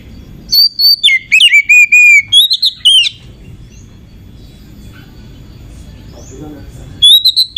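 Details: Oriental magpie-robin hen used as a lure to raise other magpie-robins' excitement, giving a rapid run of sharp whistled, slurred notes for about three seconds, a quiet pause, then a fresh burst of clipped whistles.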